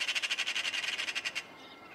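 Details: Rural Cyprus magpie chattering: a fast, grating rattle of roughly fifteen rasping notes in steady rhythm that stops abruptly, leaving soft ambient hiss.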